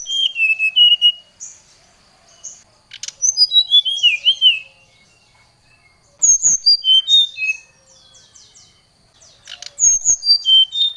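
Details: Oriental magpie-robin singing against a rival in a lure recording: three loud bursts of varied whistled and slurred notes, rising and falling, separated by quiet pauses of about two seconds.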